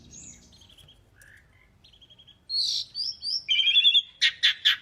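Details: Asian pied starling singing strongly as a tutor recording. Soft scattered whistles and a low murmur come first, then loud, bright chirps and a rich buzzy trill, ending in three harsh broadband bursts.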